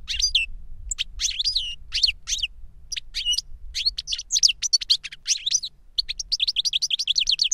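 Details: Older goldfinch singing as a lesson for a younger goldfinch, a lively stream of high twittering chirps and trills that ends in a fast, evenly repeated series of bright notes.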